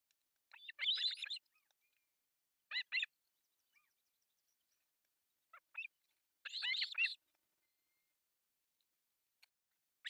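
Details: Osprey family at an artificial nest in Pohjois Satakunta, Finland, three chicks at breakfast feeding, July 1, 2024: spaced bursts of loud, harsh calls, one long, a short pair, two brief notes, then another long rasping series, with quiet gaps.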